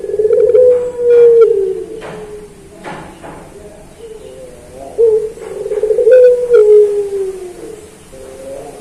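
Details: Master recording of a puter pelung dove for training kept birds: repeated low coos with slightly wavering, descending tails, separated by short gaps, plus faint clicks and knocks in the background.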